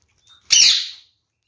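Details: Feeding on seeds, a captive red-fronted parakeet, one of a pair, lets out a brief soft note and then one loud, hoarse squawk lasting about half a second.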